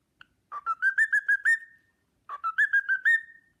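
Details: Pet cockatiel whistling the Sportpalast Waltz, two phrases of clear whistled notes, each rising from a low slur into a run of bright, steady tones that end in a drawn-out held note.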